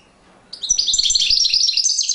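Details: European goldfinch in courtship display, bursting into a dense, high, tinkling twitter of rapid chirps and trills after a short quiet start, with faint low taps underneath.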